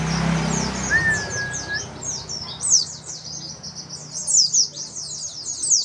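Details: A white-eye in competition-style song for training young birds: fast, very high, thin downslurred chirps in quick runs, with one steady lower whistle early on and a faint low hum beneath.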